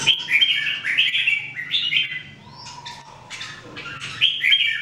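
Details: Red-whiskered Bulbuls (jambul), three birds singing every day in training, 2018. Rapid chattering warble of bright chirps, with a thin rising whistle, a quieter stretch, then renewed lively phrases.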